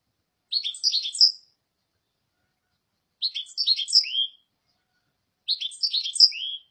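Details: European goldfinch singing: three bursts of bright, tinkling, twittering notes, each about a second long and spaced roughly two and a half seconds apart, with silence between phrases.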